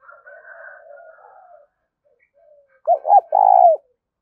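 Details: Soft, wavering bird calls first, then a spotted dove's loud 'thúc' coo: two quick rounded notes and a long, falling final coo.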